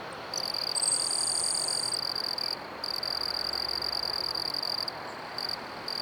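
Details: Grasshopper Sparrow (Ammodramus savannarum) singing while perched on a cannon at Manassas National Battlefield Park, Virginia: little notes then a thin, very high, insect-like buzz of about a second over a steady loud chorus of trilling crickets.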